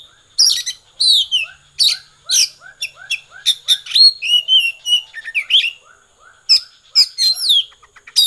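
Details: Konslet singing by an Oriental magpie-robin: energetic bursts of piercing whistles, sliding notes and rapid chips, separated by short gaps, with softer repeated lower notes in the background.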